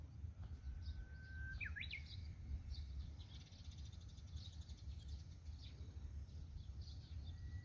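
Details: Japanese bush warbler young and mother calling on a misty morning walk along the Kadono River bank in Tamba, Japan; a flat whistle rising into a quick upward flourish, then a faint later note, with constant low rumble and scattered high chirps.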